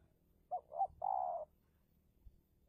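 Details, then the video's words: A single spotted dove phrase from a decoy luring a wild bird in Indonesia: two quick, clipped coos and then a drawn-out, even, low coo lasting about half a second, with quiet surroundings. "Pikat Tekukur (Take down Tekukur Liar) The Extraordinary Batlle For the Tuft of Tension"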